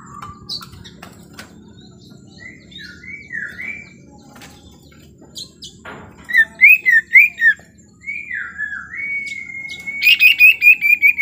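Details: Sirtu lure recording meant to get a reluctant bird to respond, dated 18 October 2021; clear whistled notes dipping and rising, then rapid bouncing phrases and a long even whistle ending in quick high trills.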